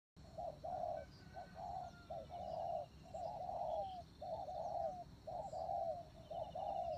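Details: Spotted dove kept as a decoy bird, giving low mellow cooing phrases, each a short stutter then a longer drawn-out falling coo, repeated about once a second with brief gaps; faint high bird chirps in the background.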